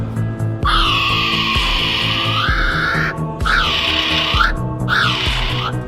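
A kiwi gives three loud, shrill, screeching cries, the first drawn out for over two seconds, the next two shorter, over steady background music.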